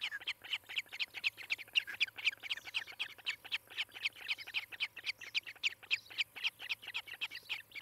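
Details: Osprey pair on the nest in Charlo, Montana, nest camera, 18 July 2018 around 10:30: dense, excited chirping, about four shrill notes each second, loud and continuous throughout, with a quiet hum underneath.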